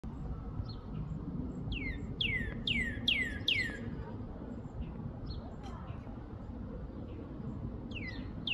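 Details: Northern cardinal (Cardinalis cardinalis) singing a quick run of five clear, downslurred whistles, then starting again, over a steady low rumble of distant traffic.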